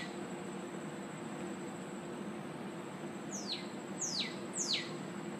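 Northern cardinal song: three clear, steeply down-slurred whistles, about two-thirds of a second apart, over a steady high insect hum and background hiss.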